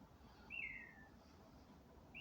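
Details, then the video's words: A bird singing in the dark of night, 27 May 2025: a clear whistled note sliding down from high over about half a second, another beginning as it ends, over a faint low rumble. "in the dark of night the birds are singing"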